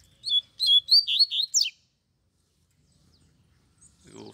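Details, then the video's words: Double-collared seedeater, one of two caged birds carried in hand alongside a wild one: a quick string of about six bright, high chirped notes in under two seconds, then quiet with a faint voice at the end. "DOIS COLEIROS CANTANDO DE GAIOLA NA MÃO E O MATEIRO SOLTO MANDANDO VER!!!"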